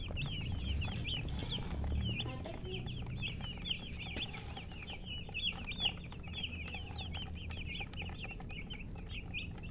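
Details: Chicks keep up a busy stream of short, high, repeated peeps, roughly two or three per second, several birds overlapping, with a low hum behind.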